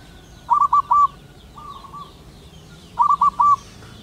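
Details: A wild local male zebra dove calling to a female gives two bursts of quick, soft cooing notes, three or four hooked coos each, with a faint rolling trill between them.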